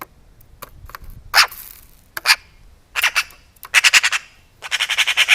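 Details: Close-range European magpie annoyed by a camera placed by its food, giving dog-like barks: a few scattered harsh notes, then rapid rattling series of grating chacks, about six per second, in a quiet setting.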